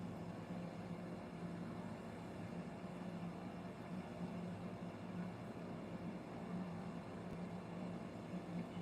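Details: A steady low electrical hum over a dull outdoor rumble, with no distinct calls.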